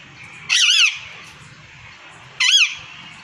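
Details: Parrot pair, male and female, giving two drawn-out, raspy squawks that waver up and down, spaced nearly two seconds apart.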